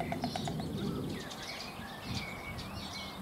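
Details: White storks in a meadow in the Vogelpark Marlow near the Baltic, 2018, building nests on the ground; pairs clatter bills to greet partners and guard nests. A quick burst of rattling claps opens, amid steady background noise and thin calls of other birds.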